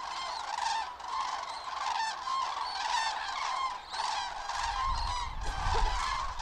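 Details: Flock of common cranes on autumn migration, Lahn-Dill-Kreis, Hesse, Germany, 31 October 2022, unfavourable weather: continuous overlapping trumpeting, strong rolling calls in waves, with wind rumble joining in the second half.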